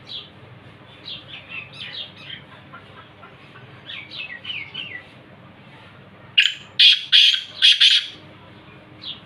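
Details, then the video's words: Black francolin (kala teeter) from Khushab: soft scattered chirps from other birds at first, then a sudden loud burst of four or five harsh, scratchy notes close together near the end. "kala teeter ki awaz"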